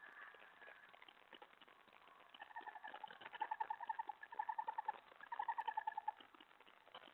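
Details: An owl, a female, giving a dinner call at 1:20 AM on February 8, 2017, over a gopher her mate brought earlier: rapid repeated hoarse notes in pulsing bursts, about three per second, in background hiss.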